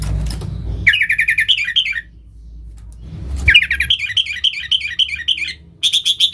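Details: Sooty-headed bulbul song for luring wild bulbuls: rapid chattering runs of bright notes in two long bursts, with low rustling noise between phrases.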